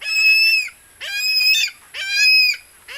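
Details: Philippine eagle, reported as hunting a barred rail (tikling), screams three times in about three seconds: high, piercing whistles each starting with a short rising note, then held steady for over half a second before dropping off.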